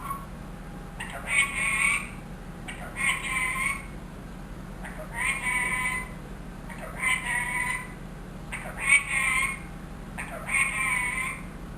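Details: Harsh, harmonic, drawn-out phrases from a trained one-year-old ringneck parrot that imitates speech and a cat's meow. Six bursts, each near a second long, come every one and a half to two seconds over low hum.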